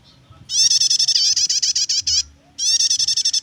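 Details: Prinia singing 'nyetater' style for luring or training birds: a long, dense rattle of fast, high, buzzy ticks lasting nearly two seconds, then a brief gap and another rapid burst.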